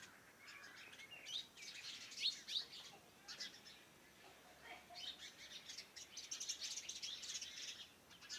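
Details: Morning birdsong around a farmhouse: several small birds chirping and twittering in overlapping bursts of high, quick notes, fairly distant, with a soft background hiss.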